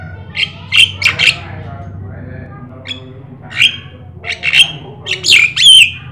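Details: Javan myna (jalak kebo) singing 'gacor': three quick rasping squawks, a quieter gap, then scattered grating notes building to loud swooping metallic whistles at the end, above a steady low hum.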